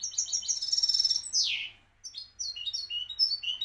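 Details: European goldfinch, a Moroccan champion singer, delivering a fast rattling trill that ends in a steep downward sweep, then a series of clipped, twittering high notes, with a faint steady hum underneath.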